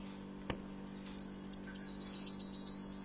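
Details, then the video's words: Tunisian orange canary delivering a long, high, rapid trill that starts thin and swells steadily louder, with a single sharp click near the start. "Chant canari tunisien 2017 تغريد كناري رائع للتعليم"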